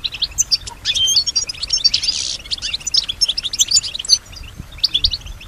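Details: Female European goldfinch in a cage, singing: dense high twittering with clicks, thin whistles and a brief harsh buzz, fairly quiet overall.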